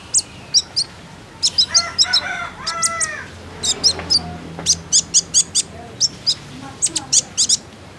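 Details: Common iora lure call to encourage birds to sing: rapid series of high, clipped chips in steady pairs, with descending harmonic whistled slurs in the first half.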